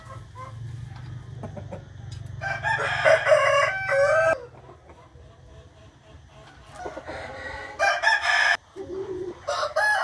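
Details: Morning rooster crowing on 8 April 2021: two loud, drawn-out harmonic crows about four seconds apart over a constant low hum, with fainter clucking between them.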